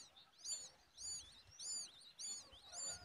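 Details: Common babbler chick being fed a worm by its mother; sharp high chirps arrive in bunches roughly every half second, each a quick arched note, against light outdoor hiss.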